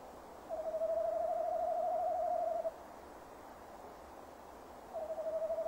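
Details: At 17:10 on 15 December 2015 the male tawny owl calls near the nest box, heard through its webcam. A long quavering hoot of about two seconds is followed after a pause by another beginning.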